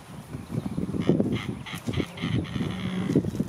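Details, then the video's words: Anhinga, or snakebird, perched on a branch over a lake, giving a low, rapid, rattling chatter of clicking pulses with brief higher overtones, faint thin whistles of other birds behind. "Anhinga snakebird perched on branch over lake and calling out"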